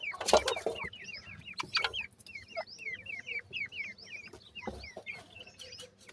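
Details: Francolin chicks, kept and raised by hand, calling while being fed: a rapid series of short, high, downward-slurred peeps, many overlapping, with some lower clucking and handling noise at the start.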